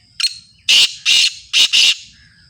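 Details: Kala tetar, the black francolin, of the Sindhi strain, calling: a short clipped introductory note followed by four loud rasping, buzzy notes, the last two nearly run together, against a faint low rumble.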